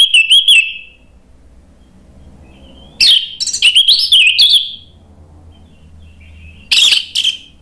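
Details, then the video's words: Orange-headed thrush in Indonesia singing loud ngeplong phrases used to provoke silent birds into song: three bursts of clear whistled, warbling notes with quick chattering accents, separated by pauses of about two seconds. "ANIS MERAH GACOR memancing EMOSI jadi NYAUT BUNYI NGEPLONG"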